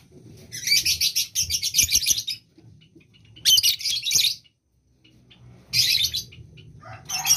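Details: Rapid, harsh, high-pitched chattering from a lovebird in breeding condition, delivered in long dense bursts of about two seconds separated by short silences, with a faint hum underneath.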